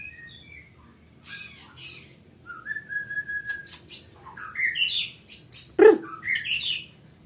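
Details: White-rumped shama kept at a breeding farm in Pati, Central Java, Indonesia: a long pure whistle, then bursts of buzzy rasping notes, rising slurred whistles and chattering phrases, with a short low thump near the end.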